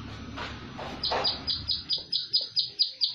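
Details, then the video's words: Plain prinia singing in the tight rapid 'tembakan rapet' style: a steady train of short buzzy high notes repeated about four times a second, following a few softer lower sounds at the start. "PRENJAK SAWAH TEMBAKAN RAPET"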